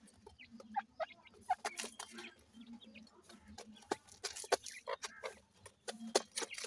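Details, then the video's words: Grey francolin pair tending chicks during feeding: short whistled chirps and thin high notes over intermittent low clucking, mixed with frequent sharp clicking pecks. "dakhni teetar chicks ki awaz"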